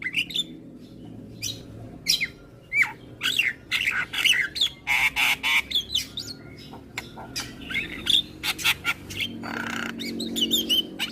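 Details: Javan myna morning song, said to set off answering calls from neighbours' mynas: loud varied squawks, whistles and rapid harsh pulses repeating in bursts, with low rumbling background noise.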